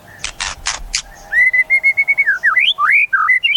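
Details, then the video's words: White-rumped shama kept in a cage, opening with rapid buzzy rasps before a long, steady whistle that breaks into swooping, rising and falling whistled phrases. "Suara Murai"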